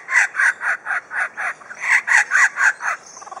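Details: Superb lyrebird at Adelaide Zoo, Australia, imitating other sounds: a rhythmic run of about twelve raucous, cackling notes, evenly repeated several times a second, like a laughing kookaburra.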